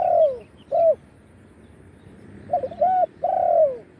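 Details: Low soft cooing of a spotted dove used to call wild birds, sung in the throwing style: a long slurred coo and short note, a pause, then a stuttered double note and two drawn coos.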